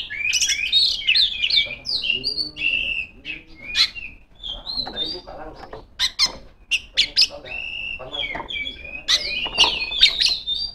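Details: Female Oriental magpie-robin calling rivals with a long, varied song of whistles, sharp clicks and chattering bursts, interrupted by short pauses, with some softer lower sounds near the start.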